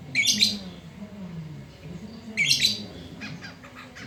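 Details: Black-throated laughingthrush in loud midday song: two harsh, scratchy bursts about two seconds apart, then faint clicking notes, with a low hum underneath.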